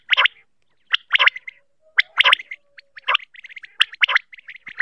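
A female common quail gives harsh, raspy bursts about once a second, each followed by quick, thin chirping notes.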